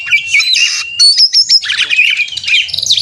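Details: Oriental magpie-robin singing in aggressive 'konslet' mode as a lure for caged birds: scratchy chatter, a few clear repeated high whistled notes, then fast jumbled twittering.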